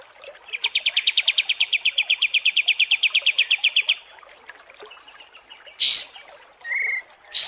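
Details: Kapas tembak songbird in a long training recording for contest birds: a rapid machine-gun series of short notes for about three seconds, then sharp high whistled bursts.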